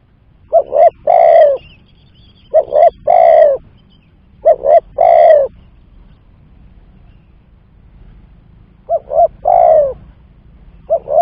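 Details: Spotted dove trapping lure call, three quick phrases of two short coos and a long falling coo, a pause of about three seconds, then two more phrases.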